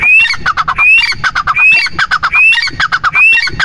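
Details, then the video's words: A grey francolin calls loudly: a rising whistled note, then a quick run of harsh clicking notes, repeated roughly every three-quarters of a second. "Teetar ki awaaz | teetar ki Awaaz Madi"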